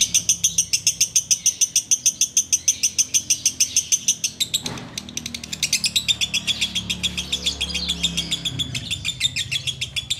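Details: Sustained ngekek chatter from a sooty-headed bulbul while waiting to break the Ramadan fast: ten seconds of fast, steady high notes, about three per second, briefly broken by a dull thump midway.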